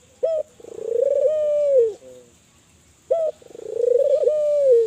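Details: Spotted dove of the Kelantan type calling vigorously, a recording used to prompt other doves to call: a short clipped note, then a long, steady, hollow tone that ends in a falling slur, given twice about three seconds apart.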